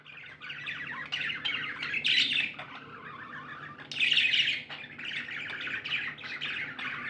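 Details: Happy budgies keep up grating, buzzy warbling and chirps, two louder squawking bursts standing out around the second and fourth seconds, over a low steady hum.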